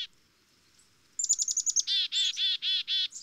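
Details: After a second of near quiet, a black-capped chickadee gives a fast string of thin high chips, then several loud, buzzy, drawn-out 'dee' notes in steady succession.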